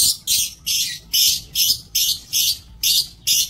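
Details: Lovebirds in an aviary on 5 July 2024 give loud, harsh, high squawks repeated steadily about every half second, eight in a row, with a low hum in the background.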